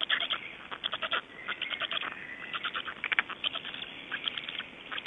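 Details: Black storks in Estonia on the morning of 26 May 2012, 05:15: softer, scattered rattling pulse bursts repeating through the recording, with some faint whistled notes.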